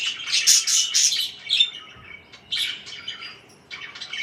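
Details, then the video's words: Chirping parakeets: a burst of harsh, scratchy squawks followed by pauses and further warbled chirp phrases. "BEAUTIFUL CHIRPING NOISES (4K WATCH HOUR)"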